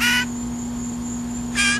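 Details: Captive blue jay being hand-fed, giving two grating, noisy shrieks of hunger about one and a half seconds apart, with a steady background hum between them.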